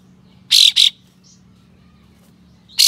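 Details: Ashy tailorbird (kapas tembak) with tail spread, giving rough, sharp 'besetan' phrases meant to provoke other tailorbirds: two loud buzzy, rasping bursts in quick succession, then a third after a pause, over a quiet background.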